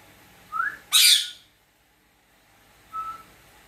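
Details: Household cockatiel answering its owner: a short rising whistle, then a loud harsh broadband squawk, a pause, and a flat clear whistle ending with a small waver.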